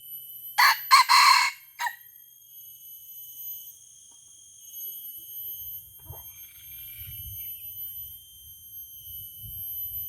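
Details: Aceh red junglefowl caught with a decoy rooster and fighting it; one loud, harsh, choppy crow early on, clipped into a few quick bursts with a short tail. Then a high insect drone and low rustling.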